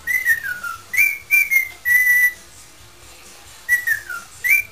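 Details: A pet parrot sings in an improvising mood, attempting 'Spanish Flea': descending whistled phrases and flat held notes, a quiet gap, then the descending phrase repeats with an upward flick.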